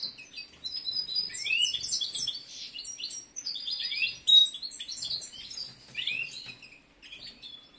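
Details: Caged breeding-condition male European goldfinch, a competition bird, with moderately loud high twitters, rising slurred notes and short trills spread across the recording, some faint low background noise.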